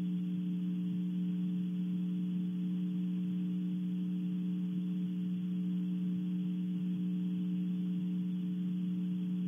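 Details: A steady low electrical hum with several layered tones holds throughout, with no animal calls.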